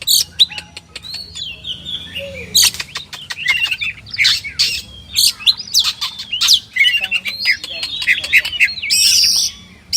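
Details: Oriental magpie-robin, known locally as kacer, singing a loud, varied song. Sharp clicks and chips are mixed with whistled slurs and harsh scratchy phrases in quick succession, with a faint low hum underneath.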